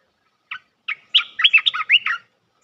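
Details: Trapping decoy call of an olive-winged bulbul: two separate chips lead into a quick run of about eight rich, liquid, warbled notes that rise and fall in pitch. No other sounds.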